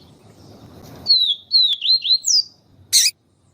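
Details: Papa-capim seedeater (Sporophila nigricollis) giving its siu siu style song, paired with a female calling to stimulate the male: five fast, high, slurred whistles rising at the end, followed by a single sharp click.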